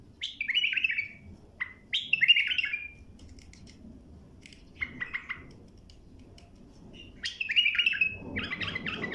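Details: Bulbul singing as tutoring material for young birds, giving short throaty warbled phrases every couple of seconds, some clipped and stuttering, with a quieter run of notes in the middle and a burst of several notes at the end.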